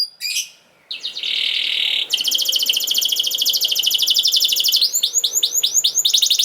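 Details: Canary song meant to train young canaries to sing: a brief buzzy phrase, then a steady rasping trill, followed by a long fast rattling trill and a run of upswept repeated whistled notes.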